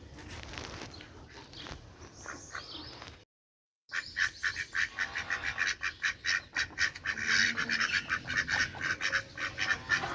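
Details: Quieter, softer duck calls at first, then after a silent gap a burst of loud, rasping quacks in rapid succession, many birds calling over one another in a dense, jerky rhythm.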